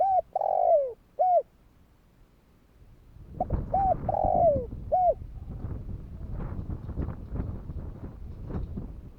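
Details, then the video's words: Kích bổi calling by a spotted dove, used to stir other doves into calling: two mellow coos with a long sliding note between them, repeated once after a silent gap, then crackling broadband noise to the end. "Chim cu gáy Thúc kích bổi , Tiếng cu gáy Thúc hay ,tiếng chim cu gáy kích bổi"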